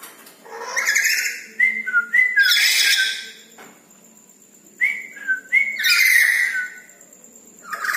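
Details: Harsh rasping bursts from a Red-breasted parakeet at night, mixed with short level whistles that step down in pitch, in two phrases.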